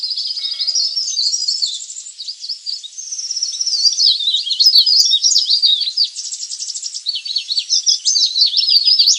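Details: Leaf warbler lure recording for drawing in wild birds: nonstop high, scratchy twittering with rapid trills and quick downward-sliding chirps, loud and busy throughout.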